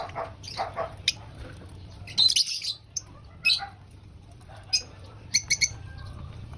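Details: Lovebird eating breakfast: a loud, harsh, high squawk near the middle, then brief sharp chirps later, with soft clicking feeding noises and quiet gaps.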